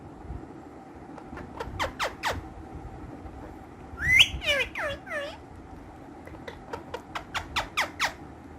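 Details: Playful pet ringneck green parrots give spaced descending squawks, then a loud rising screech and a sequence of looping downslurred notes, ending with a rapid series of short falling chirps.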